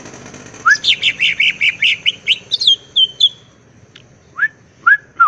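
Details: ['Greater green leafbird singing in full-filler ngentrok style, crest raised: a quick chain of bright chirped notes, a couple of clear falling whistles, then separated upslurred calls over a faint low background hum.']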